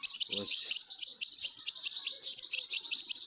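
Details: European goldfinch young begging during feeding, shrill high chirping pouring out nonstop in rapid pulses, with a short low buzzy sound near the start.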